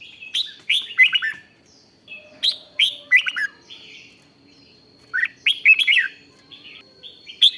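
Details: Red-whiskered bulbul singing in the 'rik' style, used to excite other bulbuls: three bursts of quick, liquid, downslurred notes about every 2.5 seconds, with a thin steady high whine running behind.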